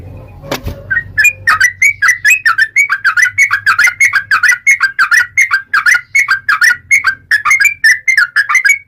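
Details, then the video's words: Yellow-vented bulbul in full long 'ropel' song: a continuous chain of quick liquid whistled notes, rising and dipping, about four a second, after a single low knock at the start. "KICAU SUARA trucukan gacor ROPEL panjang"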